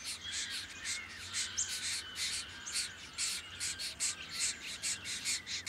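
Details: Harsh, buzzy notes from a diamond firetail, Victoria, Australia, November 2014, repeated a little over twice a second in an uneven rhythm, each note a short grating burst.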